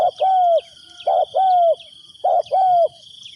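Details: Luring call of a decoy spotted dove for catching wild doves: three evenly spaced low coo phrases, short note then a sustained, slightly sinking note, over a continuous high-pitched insect buzz.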